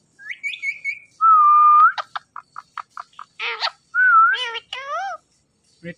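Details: Green Indian ringneck parakeet talking: a high whistled note, a long flat whistle, then a run of sharp clicks and several harmonic, speech-like syllables that rise and fall, ending with a short burst.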